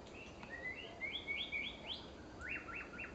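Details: Female white-rumped shama giving quick, clear whistled notes, each sliding upward, about four a second, then a higher run of rising whistles over a faint background hiss.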